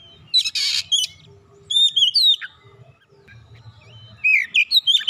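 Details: Clear whistled song of an Oriental magpie-robin used to draw reluctant birds into singing: a rasping burst, then long pure whistles and falling slurs, closing with a quick run of whistled notes.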